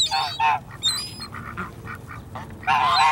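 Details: A swan goose said to need help gives loud, nasal honks in irregular bursts, with quieter honks between and a final long, harsh blare.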